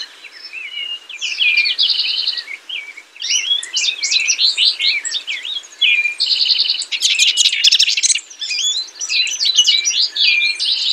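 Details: Long run of house wren singing, with repeated bubbly phrases mixing rapid buzzy trills and quick jumbled high notes, almost without a break.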